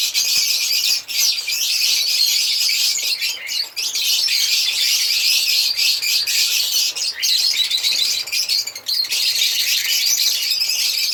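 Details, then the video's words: Unbroken shrill chirping of African lovebirds, a dense stream of high squeaks and twitters with slight rises and falls in loudness. "African Lovebirds singing and chirping sound"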